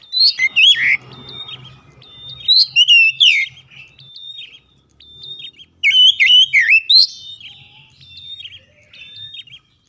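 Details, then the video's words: Oriental magpie-robin, played as a lure to get other magpie-robins singing hard, sings in three loud bursts of rich, varied whistles, slurred notes and sharp chips, with quiet gaps and a faint low hum behind. "Kacer lain langsung gacor ngotot bongkar isian"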